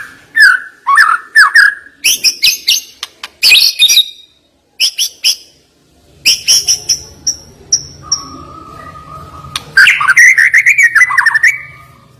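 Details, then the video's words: White-rumped shama pouring out sharp, varied phrases: bouncy whistled notes, clusters of high piercing chips, a sustained steady whistle, then a loud fluttering warble, with a faint low hum beneath. "Ngeri Isian Murai Batu Ini Nembak Tajam"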